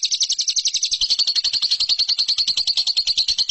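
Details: Competition-training song from a lovebird: quick pulsed chatter that tightens after a second into a continuous, rapid high trill of regular beats.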